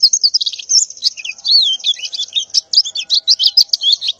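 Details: In morning calling, a female white-eye in breeding condition gives a jumbled, high twittering of warbled and slurred notes, with no pauses.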